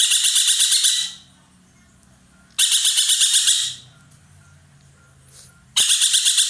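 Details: Ekek keling roller from Indonesia, a bird prized for its loud voice, giving three grating, rapidly pulsed bursts about a second long with quiet gaps between them.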